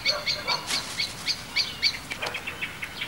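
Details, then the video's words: Eurasian blackbirds give alarm calls in mid-July that betray young stoats roaming the gardens, ruins, car park and fields of Mount Grace Priory. Sharp, high clicking notes repeat about every quarter second, with outdoor background noise. "it's the alarm calls of the Blackbirds that helped give their presence away"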